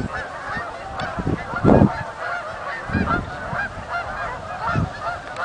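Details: A flock of Canada geese arriving at Oak Hammock Marsh and Fort Whyte, steady chorus of honking from many birds, one louder burst near the middle, low background rumble throughout.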